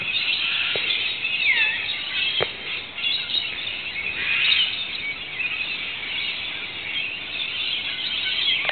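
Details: Rainbow Lorikeets and other local birds in Australia calling when rain arrives after sweltering days; continuous screeching chorus with a few distinct chirps and sweeping notes, plus sharp clicks.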